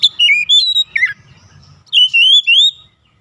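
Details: Oriental magpie-robin song used as a lure to provoke other magpie-robins: loud, clear whistled phrases sliding between high and mid pitch, two bursts separated by a short pause, with faint low rumble beneath.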